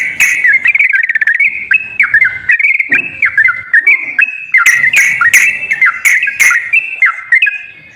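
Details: Sooty-headed bulbul used as a lure recording to coax a quiet bird into singing: a rapid trill opening into a run of short whistled slurs, with sharp percussive clicks recurring near the end.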